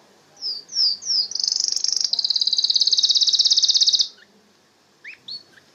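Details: Canary delivers three sharp downslurred high notes, then a fast, even, high-pitched trill held for nearly three seconds, ending with a pause and two faint short chirps.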